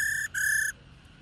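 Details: Female black-throated laughingthrush calling to attract and stimulate males to sing: two clear, harmonic-rich whistled notes at one steady pitch, the second longer, separated by a short gap.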